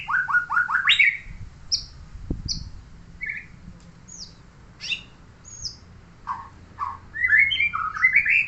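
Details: Neighbour's murai songbird in a varied song: a quick run of rising notes, then scattered high whistles, sharp chips and slurred phrases, finishing with a rapid rising warble. A low thump is heard partway through.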